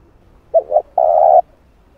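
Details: Spotted dove calling to rouse a decoy bird in training: two quick soft hoots, a short break, then a prolonged steady coo, over a clean quiet background.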